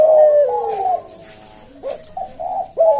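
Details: Caged puter dove giving a melodious slow 'senggang' coo: a long falling coo, a quieter murmured pause, then a sharp short note that starts the next phrase.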